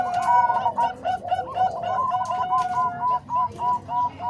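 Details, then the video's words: Bangkok and Cemani Kolbuntet zebra dove voices mixed for training other doves: busy overlapping coos at first, then clear separate rounded notes repeated about three times a second near the end. "Suara Kombinasi Perkutut Bangkok Dan Cemani Kolbuntet|Untuk Masteran Semua Jenis Perkutut"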